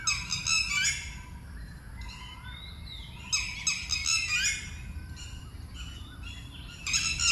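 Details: Loud screaming alarm of a red-wattled lapwing watching over two or three chicks at a park waterside in Thailand when someone draws near; strident stacked bursts of several sharp notes, spaced a few seconds apart, with softer calls in between.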